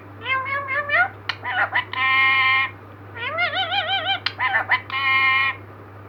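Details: A 15-year-old green parrot talks in two similar bursts about three seconds apart. Each has wavering nasal syllables, a few sharp clicks, then a held, meow-like note. A low hum runs underneath.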